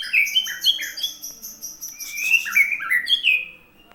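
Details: White-rumped shama from Aceh singing a rich run of loud, clear whistled phrases, each note sliding and slurred, delivered in quick succession with brief gaps, fuller warbled notes gathering toward the end.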